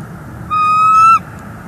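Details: At a northeast Florida nest, December 2021, a female bald eagle calls as her mate keeps bringing sticks. One sustained, slightly rising, clear whistled note lasting about three quarters of a second, with strong overtones, over faint low hum. Live nest camera.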